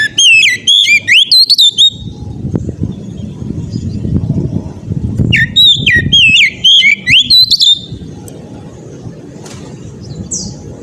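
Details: Oriental magpie-robin in loud, insistent ngeplong song, played to get other magpie-robins singing: two bursts of quick looping whistles and upslurs separated by a short gap, then quieter rumbling background with a single high chirp.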